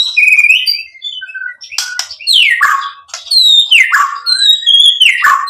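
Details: White-rumped shama delivering whistled notes followed by long, sweeping downward-sliding phrases, loud and clear, with a few harsh buzzy bursts between them.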